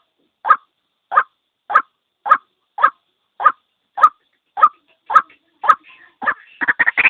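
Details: Single white-breasted waterhen call for luring birds into a trap: evenly spaced harsh notes roughly every half second, ending in a faster, rougher burst of clustered notes.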